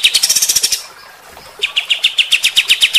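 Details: Bulbul singing in the coarse, rapid 'tembakan kasar' style used to provoke fighter-type birds: a quick volley of high piercing chips, a short pause, then another fast series of sharp notes at about four per second.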